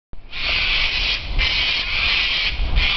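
Harsh, raspy cockatoo screeches run almost without a break, swelling in bursts about every second over low wind rumble.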